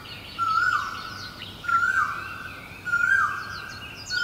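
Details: Great barbet recorded in Guangzhou in April 2022, calling in a steady series of loud hooting notes that rise then sag, about three per four seconds, with busy high-pitched chirps from other birds behind.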